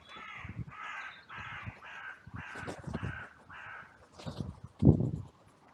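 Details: Outcry of crows rushing in after two crows fought, at a cemetery on a sunny day, recorded by a trail camera. Seven coarse caws follow one another about every half second, over low thuds and a sharp knock near the end.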